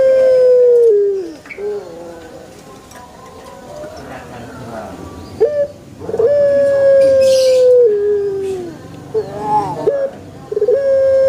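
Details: Pelung chicken crow tailing off in a falling note, a pause with faint voices, then a second drawn-out steady crow that bends downward, and a third crow beginning.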